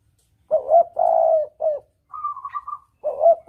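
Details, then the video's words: Clear spotted dove lure call with a double 'kuk' pattern: two short hollow coos and a long drawn coo, a brief coo, then a slightly higher rapid rolling trill before the coo phrase starts again. "Suara pancingan Tekukur || suara pikat tekukur || mp3 suara tekukur jernih"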